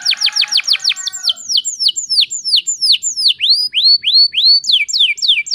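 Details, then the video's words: Energetic gacor canary singing, played to stir quiet canaries into song: a rapid run of steep falling whistles slowing into rounded looping notes, steady and sweet, ending with quicker downslurs. "PANCINGAN KENARI GACOR TERBARU AMPUH ATASI KENARI MACET BUNYI"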